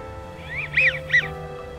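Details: American wigeon at Crystal Springs Rhododendron Garden, southeast Portland, Oregon, in winter, giving its distinctive two-syllable whistle rather than a quack: soft, breathy, rising-and-falling notes over a faint steady background hum.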